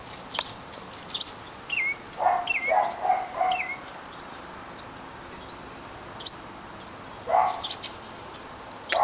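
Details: Young house wrens leaving their nest, a whole brood heading off to find their parents: a scatter of sharp, high-pitched chirps, irregular and frequent, with a woman's voice coaxing them at intervals.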